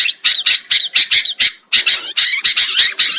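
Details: Sooty-headed bulbul lure calls meant to attract birds for trapping. Short, harsh, chirpy bursts repeat in quick succession, about eight in the first second and a half, then run into a denser chattering stretch.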